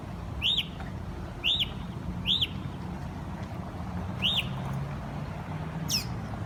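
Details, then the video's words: Morning birdsong of chirping birds: clear arched chirps, each rising and falling, repeated about once a second with a pause before the last ones, a higher sweeping note at the end, and steady traffic-like rumble underneath. "Them noisy birds that chirp all morning"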